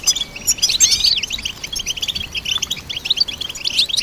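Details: Goldfinch song opening with sharp, sliding high notes, then settling into a quick, tinkling stream of overlapping chirps and buzzy trills.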